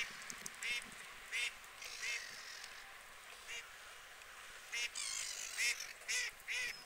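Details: UK water birds, white geese, calling with about nine rough honks in two loose bunches, uneven in spacing and loudness, with a faint background hiss.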